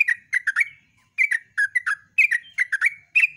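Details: Yellow-vented bulbul singing at dawn in 'gacor ropel' style: tight back-to-back groups of rich, warbling, slightly buzzy notes, one group about every second, in a clean quiet setting.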